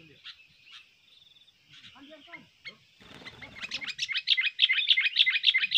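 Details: Sooty-headed bulbul used to lure birds: scattered soft notes and noise at first, then a loud rapid string of repeated bright chirps in the final seconds.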